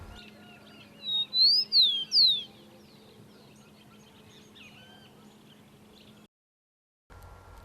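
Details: Rufous-collared Sparrow song, recorded in Entre Ríos, Argentina: two clear, slurred whistles, then a short run of falling notes, the final trill, over about a second and a half, with a faint low hum beneath.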